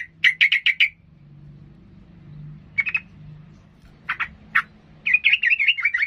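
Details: Excited sooty-headed bulbul, whose singing is said to goad rivals into fighting, gives a rapid burst of five sharp chirps, pauses, adds a few lone chips, then ends with a bubbling, wavering warble.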